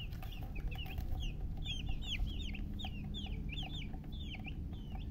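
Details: Domestic chicken chicks chirping together, with bright, drooping peeps repeated several times a second, some doubled, over a background hum.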